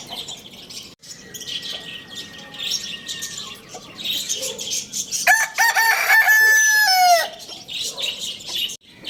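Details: Lohmann Brown rooster crowing at Lalukhet bird market: a loud harmonic crow rising, then held level and dropping at the end, lasting about two seconds, amid steady chirping from many small caged birds.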